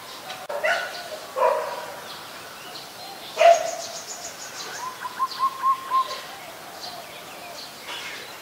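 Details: Adult zebra dove (Geopelia striata) in Ubon Ratchathani, Thailand, 24 February 2022: a few scattered soft coos, then a quick run of four short, even mid-pitched notes over faint background hiss.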